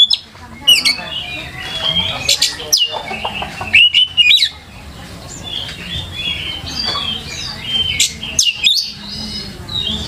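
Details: White-rumped shama singing as a lure for other birds, with scattered whistled phrases, sharp chips and clicking bursts separated by quieter gaps, over a low background hum.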